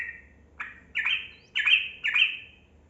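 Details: Yellow-vented bulbul song, played so that silent caged bulbuls start singing. A handful of loud, liquid whistled notes, each sliding slightly downward, spaced roughly half a second apart.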